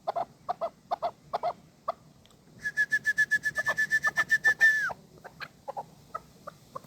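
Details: Chukar partridge kept for hunting gives paired low chuck notes, then a fast, steady series of bright repeated notes for about two seconds, ending in a sharp falling note, before the low chucks resume.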